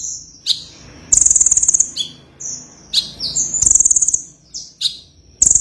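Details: Sunbird in full, lively song: shrill high chirps and downward slides alternating with fast, loud, stuttering trills that recur every couple of seconds, in a quiet setting.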